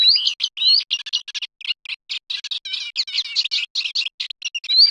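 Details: Eurasian reed warbler song: a busy stream of short, jerky, chattering notes mixed with brief rising whistles, delivered without pause on a clean, silent background.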